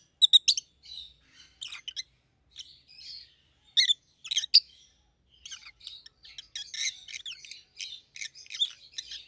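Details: Rosy-faced lovebirds, a yellow and a green pet pair, keep up continuous high-pitched chattering, sharp chirps mixed with softer twittering notes that grow busier later.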